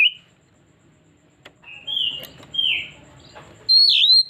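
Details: Oriental magpie-robin (kacer) in a lure recording meant to draw out its full repertoire: a few separate clear whistles, level or gently falling, spaced by quiet gaps, ending in one loud, strong whistled note.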